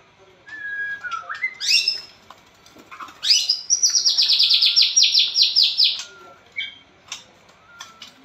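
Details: Blorok White-rumped shama singing nonstop, used to stir a lazy shama into song: a level whistle, rising slurred notes, then a long fast trill of about fifteen high chipping notes, ending with soft short whistles.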